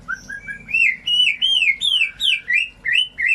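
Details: White-rumped shama song as a lure for shamas that have stopped singing: short low whistles building into a rhythmic series of arched, ringing whistled notes, about three a second, each rising then falling.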